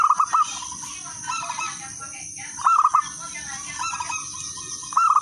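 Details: Zebra dove of local wild stock, its song used to draw other zebra doves into singing. Bright phrases of four or five rapid curled coos come roughly every two and a half seconds over fainter doves and constant hiss.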